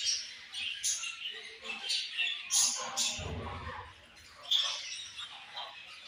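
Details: A flock of budgerigars chirps and warbles in high, buzzy bursts, with a brief low thump partway through and the chatter carrying on.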